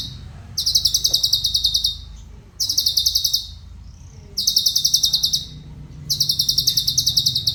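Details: Cucak cungkok song, kept as a master singer for training other songbirds: fast, clipped, high-pitched trilled phrases roughly a second long, repeated four times with brief gaps, over a low rumbling background.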